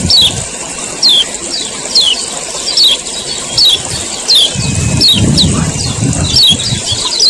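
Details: 'Ciak ciak' calls of a male common iora, meant to provoke other birds into singing: quick downward-sweeping high chirps, several per second in loose bursts, with constant background hiss and a low rumbling stretch near the end.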